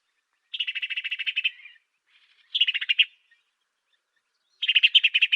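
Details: African sparrow, master song for tutoring songbirds: a long rattling train of rapid chirps, then a shorter burst of louder notes and another chirping cluster after a two-second gap, in clean quiet surroundings.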